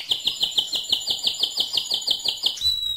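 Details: Mosaic canary song, loud: a fast series of identical sharp, high chip notes, about six per second, ending in a pure sustained whistle.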